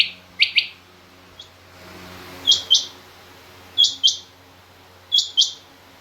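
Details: Female rain quail calling in a mixed quail recording alongside king quail: sharp doubled chirps at two pitch levels, a lower pair and a higher pair, repeated every second or so over a faint low hum.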